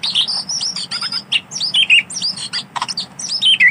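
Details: Wild white-rumped shama in natural forest delivering a dense, high-pitched rapid chatter of sharp twittering and squeaky notes, densely packed with little pause, with a faint low hum behind.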